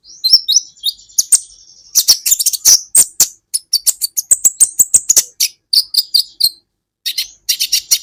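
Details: Olive-backed sunbird, known locally as kolibri ninja, in a masteran training recording for cage songbirds: thin, very high chirps and trills with rapid sharp ticking notes, brief pauses, and a final burst of squeaky twitters.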